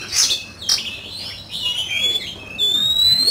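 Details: Oriental magpie-robin in a fighting song contest: two sharp high bursts followed by long clear whistles gliding and rising, held steady at the end.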